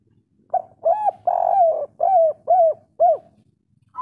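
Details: Local Indonesian spotted dove in the 'kuk 3' calling style, used to raise other doves' breeding drive: a run of six loud, arched, hoarse coos about every half second, one longer and drawn out, then a higher note starting at the end.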